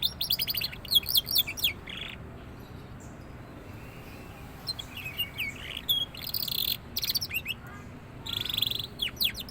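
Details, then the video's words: Young canary just starting to sing freely, alternating dense bursts of fast trilled notes with quieter pauses, several rattling phrases and rising whistles spread across the recording, low faint hum underneath. "suara burung kenari paud mulai gacor"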